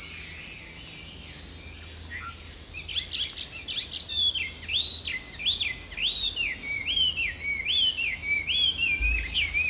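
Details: Chinese hwamei, the loud and often unseen park bird, singing a string of clear whistled notes, each swooping up then down, repeated about twice a second over a steady high hiss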